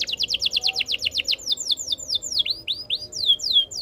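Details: Canary song: a fast series of short descending chirps about five per second, then slower, louder downslurred whistles, each sweeping from high to lower pitch.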